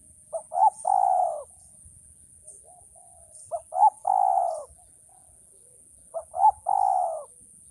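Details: Male spotted dove offered as a training recording, repeating its three-part coo about every three seconds: two brief soft notes then a drawn-out purring croon, mellow and low, with faint insect-like ticking and a steady high hiss behind.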